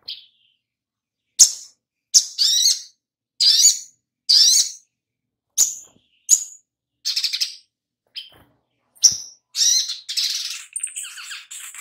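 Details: Oriental magpie-robin lure song meant to start birds singing: a long series of loud, sharp high chips and scratchy buzzy phrases, irregularly spaced, ending in a rasping, chattering run.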